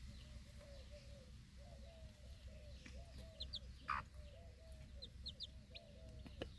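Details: Backyard mother hen standing with her four chicks outside at feeding time, alert to protect them after a barking dog startles the flock; soft low clucks repeated steadily, about three a second, with faint thin peeps higher up.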